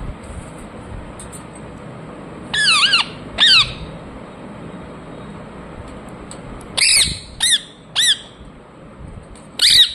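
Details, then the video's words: Pet ring-necked parakeet giving harsh, buzzy squawks with a wavering tone, one pair early, then four more spaced calls near the end, over a quiet room background. "Ringneck parrot Chirping sounds"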